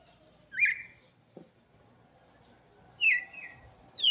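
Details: Red-cowled cardinal singing for chicks: a few scattered whistled phrases with long pauses between them, one brief click in the gap, over low background noise.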